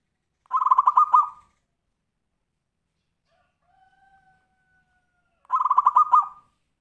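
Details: A zebra dove sings tumpang sari style, a song for prompting other birds: two rapid rolling coo bursts several seconds apart, with a faint thin whistled tone in between.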